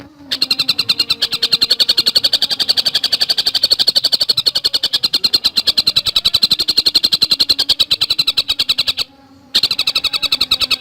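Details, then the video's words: Javan cuckooshrike in an extended fast song: about nine seconds of rapid, closely packed high notes, a short silent gap, then the quick repetition resumes. "Masteran Burung Tengkek Buto Gacor Speed Rapat"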